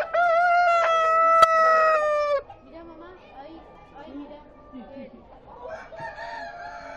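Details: Rooster crowing at the Expo Prado 2013 show: one loud, drawn-out crow lasting about two seconds, level then dropping at the end, followed by quieter chatter of people in the crowd.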